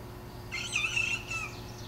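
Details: Young Dorking cockerel just starting to crow: a short, squeaky, high-pitched wavering attempt at a crow lasting about a second, breaking off and trailing away, with a low steady hum behind.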